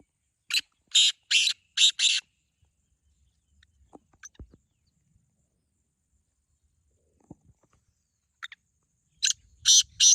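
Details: Black francolin calling in a voice contest between two birds: a rapid run of four rasping broadband notes, then a long near-silent gap with faint clicks, before another burst of three harsh notes at the end.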